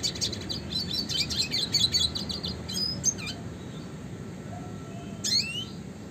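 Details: Red siskin in classic 'gacor ngerol' style, used as a master recording for training songbirds: a rapid, buzzy twittering trill for about two seconds, then a few sharp high notes, over a steady low background hum.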